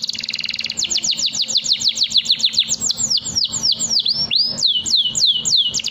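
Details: Canary in a cage with a long song for tutoring young canaries: a short fast trill, then steady rows of bright downward-sweeping whistles repeated about three times a second, with background hum.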